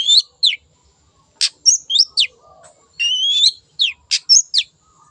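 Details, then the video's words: Long-tailed shrike, wild, in full song for a lure: sharp down-slurred high notes, clipped chips and a long rising whistled phrase, loud and clean against a quiet background. "PANCINGAN CENDET GACOR SUARA BURUNG LIARAN"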